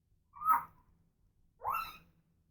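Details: Pet female African grey parrot making noises: two short harmonic squawks, the first a brief burst and the second a rising, slightly longer note, about a second apart in a quiet room.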